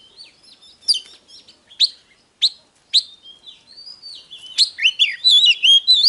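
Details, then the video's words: Oriental magpie-robin song, used as a file to provoke birds into singing and fighting: sharp whistled notes about once a second, then a quicker, louder run of warbled whistles. "Chòe than HÓT"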